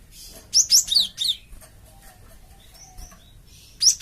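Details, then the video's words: Provoking call of a Java sparrow used to draw replies from a flock; a cluster of four bright, high chirps, some dropping slightly in pitch, then faint thin whistles and a final sharp chirp. "BURUNG GELATIK OMBYOKAN PUN LANGSUNG NYAUT DENGAR INI PANCINGAN BURUNG GELATIK BAHAN"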